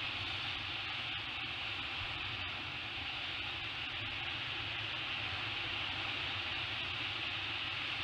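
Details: Steady broadband hiss, like wind or surf, fills the recording, with no animal calls.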